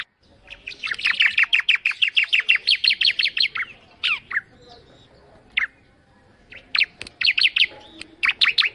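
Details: Bar-winged prinia singing in a lilting, lively manner: rapid runs of sharp, high chirps, about three per second, in bursts of several seconds separated by short pauses and a few isolated downslurred notes.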